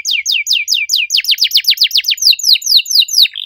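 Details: Canary in full song with a loud, clear voice and an unusual style of phrasing: rapid runs of sharply descending whistled notes, first slower, then quicker trills, ending in broader sweeping notes and a short steady whistle.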